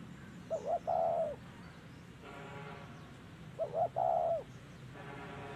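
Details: Spotted dove at a trapping setup, cooing in 'thổ' voice style: two phrases of short coos leading into a long mellow note, with brief buzzy mechanical bursts between them.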